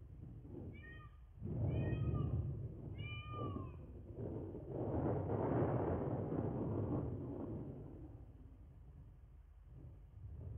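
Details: Wild bald eagles at a nest cam in Miami-Dade County, Florida, late evening of 14 January 2024: three quick bursts of thin, high, chittering notes with bright overtones, followed by steady low rumbling background noise.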